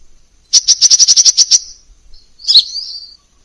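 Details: Crimson sunbird, masteran recording with many variations: a fast, even trill of about ten bright high chips, followed after a pause by a buzzy twitter.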